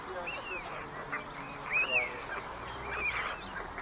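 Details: At a chimney nest in Ságvár, Hungary, on 22 May 2024, white stork chicks squabble as older siblings take food from the youngest; arched, whining squeaks come in bursts about a second apart over steady hiss.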